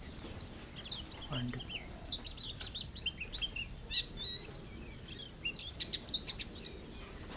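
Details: White-eye, a champion singing-contest bird from Lerep, Karangawen, Demak, chattering busily: rapid high twitters and short slurred whistles tumble over one another, with a brief low voice near the start and background hum.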